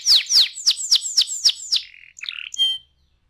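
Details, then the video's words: Canary song in the rolling 'ngeroll' style, used as a singing lure: about seven loud, steeply falling whistled sweeps, then short buzzy and tonal notes before silence. "PANCINGAN TERCEPAT dan SUKSES BIKIN KENARI GACOR NGEROLL"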